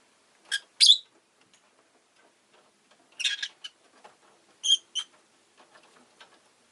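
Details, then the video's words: Rosy-faced lovebird calling in harsh, shrill chirps: a loud double note, then a rapid buzzy cluster, then two ringing chirps, with soft clicks and small scratchy sounds in between. "Lovebird Chirping Sounds"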